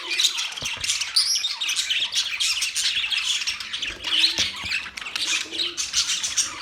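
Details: Budgerigars in a newly arranged cage twitter and warble continuously, with short squeaky chirps and harsher squawks mixed in a thick group chatter.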